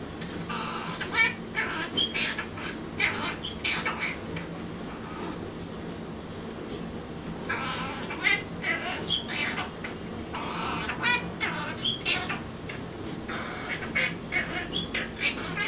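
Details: Pet male monk (quaker) parakeet in his cage practising the French song Alouette, a mimicked tune in raspy, chattering bursts separated by short pauses.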